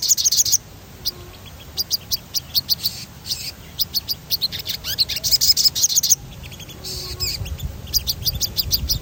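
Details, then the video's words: Sogon singing a lively rolling song used to stimulate other birds to sing: bursts of high, sharp chirps and rapid trilled runs, separated by brief pauses, over a faint low background hum. "Suara ransangan bunyi sogon gacor ngerol"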